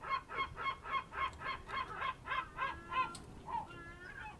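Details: Honking birds at dawn, 07:40 on 27 March 2026, in an Ionian Sea fishing harbour beside Amvrakikos National Park, Greece. A rhythmic string of nasal honks, roughly four per second, trails off into softer, wavering notes.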